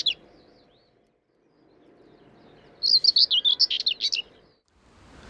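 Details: Common Whitethroat, the commonest breeding bird in the dunes at Gibraltar Point, Lincolnshire, gives its short, fast, very scratchy warble of about a dozen rapid notes lasting just over a second, with a faint background rumble.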